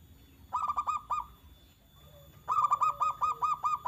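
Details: {'caption': 'Local zebra dove singing to draw replies from other doves: a short burst of quick, punchy cooing notes, a pause, then a longer rapid series, with a fainter lower coo running underneath.'}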